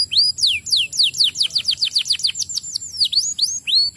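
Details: Canary singing, used to stimulate other canaries to sing; a fast, loud series of high whistled notes, each sweeping sharply downward and repeated several times per second.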